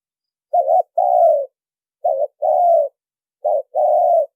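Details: Lure call of a spotted dove, recorded without background noise: three pairs of mellow coos, a brief wavering note then a longer, slightly falling hum, spaced about one and a half seconds apart.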